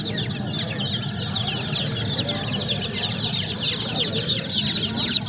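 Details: A group of baby chicks keeps up shrill, rapid peeping, with many short falling chirps overlapping continuously over a low background rumble.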